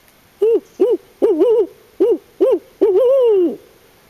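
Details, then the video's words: Montana barred owl from a pair called in close in Swan Valley during field work, answering a person's imitation; six loud, low hoots, some doubled, ending in a long drawn note that droops away, followed by a human whoop. "Calling in a pair of barred owls"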